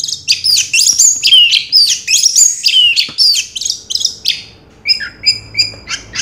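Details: Orange-headed thrush, 2022 contest champion, pouring out a fast continuous medley of slurred whistles and chirps, then tapering into evenly spaced short high notes.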